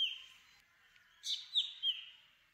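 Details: Black drongo giving a brief trailing note, then a quick run of three clear, descending whistled notes.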